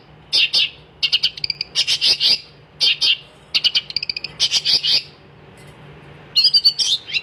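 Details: A long-tailed shrike sings in clipped, loud bursts of rasping high notes and rapid stuttering ticks, separated by short silences, with a final phrase of bright, trilling chatter.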